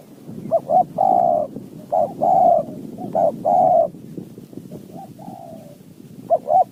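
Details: Spotted dove, a wild bird of high mountain forest, called in by a decoy: short double coos lead into long, buzzy drawn-out coos in repeated phrases, ending with softer answering coos.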